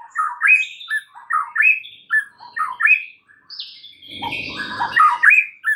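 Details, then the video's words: Vigorous white-rumped shama song for training other shamas to answer: three similar rising fluty phrases repeated about once a second, then a harsh, noisy chattering burst mixed with high whistles. "MASTERAN MUTAI BATU GACOR , 3 DETIK SAJA DIJAMIN NYAUT SEKETIKA"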